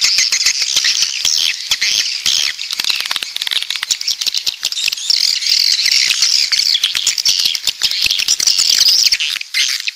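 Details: Southern coastal swiftlets twitter in a thick, high-pitched chorus of buzzy chirps and ticking clicks that runs without pause, fading out at the very end.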